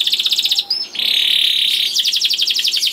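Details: Young canary song used to prompt other canaries to sing: fast trills of repeated high notes, a long steady buzzy whistle in the middle, then rapid rolling trills again.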